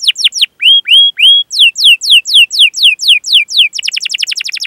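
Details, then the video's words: Long rolling canary song used as a training call to lure young and silent canaries into singing: rapid descending chirps, a few flat whistled notes, then repeated downward sweeps ending in a fast trill, roughly four notes a second, clear with no background. "Masteran Suara Burung Kenari Gacor Panjang cuit cuit Ngerol untuk Pancingan Kenari!"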